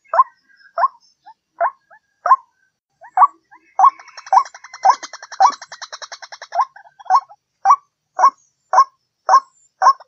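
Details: Repeated harsh notes of a white-breasted waterhen used as a lure, spaced about half a second apart, with a dense run of rapid chattering notes in the middle before the steady series resumes.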